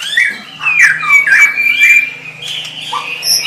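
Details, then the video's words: White-rumped shama singing a sustained whistled line with looping slurred notes around 2k, rising and dipping, plus a few high thin notes; a faint low steady hum underneath. "SUARA MURAI BATU"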